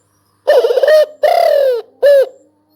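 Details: Spotted dove giving three loud, low, hoarse coos over about two seconds: a wavering first note, a longer note sliding downward, then a short clipped final coo, with near silence between and around them.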